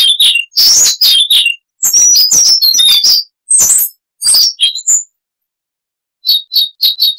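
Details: Siberian rubythroat (Luscinia calliope) song, noise reduced: varied high chirps, slurred whistles and scratchy notes in irregular phrases, a pause of over a second, then a neat series of short repeated clipped notes.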